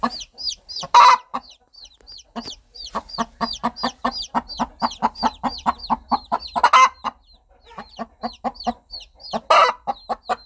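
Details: Hen calling her baby chicks with rhythmic low clucks, interrupted by three loud rasping squawks, and a constant chatter of high chick peeps.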